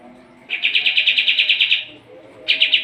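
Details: Lively Sooty-headed bulbul, a tutor recording for competition birds: a rapid trill of about thirteen even, chattering notes, then a pause and the start of another trill.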